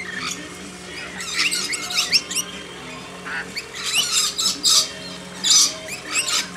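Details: A backyard flock of hand-fed lorikeets makes rapid, scratchy squawks and rising screeches, roughly seventy-five a minute and unevenly spaced, with a steady low hum underneath.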